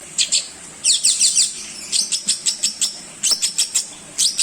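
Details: Long-tailed shrike song of the kind used to train other songbirds: bursts of sharp, high chattering notes in quick clusters, pausing between groups, with a faint low hum underneath.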